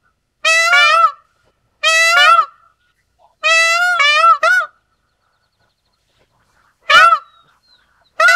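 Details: Pavo cristatus, the Indian peafowl, giving a run of three long harsh wails then a clipped cry, followed by a pause of two seconds before further abrupt calls.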